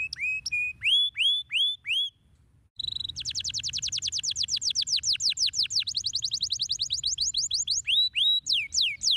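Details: A canary sings a stimulating song meant to get lazy birds singing: clear rising whistles, then a long, fast, rolling trill of rapid notes.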